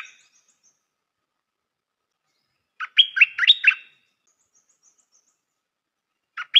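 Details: Stripe-throated bulbul, a newly used decoy bird, gives one short bubbly phrase of about six quick warbled, up-and-down notes midway, with brief note fragments at the start and end, otherwise in silence.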